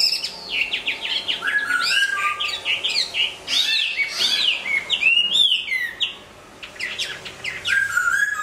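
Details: Hwamei singing while moulting and being fed a bran feed: a rich, fast, varied stream of whistled phrases, sweeping slurs and sharp chirps, mostly high-pitched, with brief pauses and a quieter gap near the sixth second.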